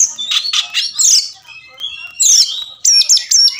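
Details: Oriental magpie-robin song for triggering response and fighting in silent birds. Harsh chattered notes, a sliding high whistle, then a crisp repeated high phrase close out the sequence.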